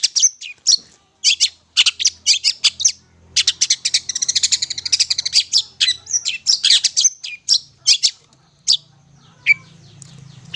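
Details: Vigorous long-tailed shrike song used as a lure: rapid varied chirps merging into a buzzy, chattering trill, then scattered sharp notes and a single whistle over a faint low hum.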